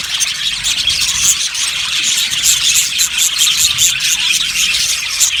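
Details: Budgerigar colony in an aviary: constant shrill chatter from many birds, with bright ticking clicks repeated in quick bursts near the middle and end over a soft low background hum.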